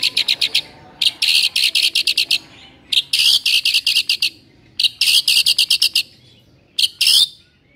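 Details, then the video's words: White-rumped shama vocalising to provoke a sluggish shama: harsh, high chattering bursts of rapid repeated notes, grouped in runs of about half a second to a second with short pauses between them. "MURAI BATU LOYO LANGSUNG NAIK EMOSI & BONGKAR MATERI MENDENGARNYA"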